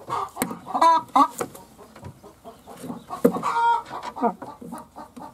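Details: Laying hen clucking irregularly: short, throaty, harmonic clucks and brief squawks in uneven bursts, some loud and sharp, others soft and low.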